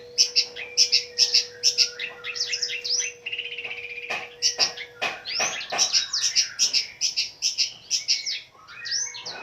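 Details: Long-tailed shrike, a fighter bird singing continuously with many varied elements, used as a lure for stressed shrikes. Dense bursts of shrill chips and sweeping whistles, briefly easing into a softer buzzy warble, with a low hum underneath.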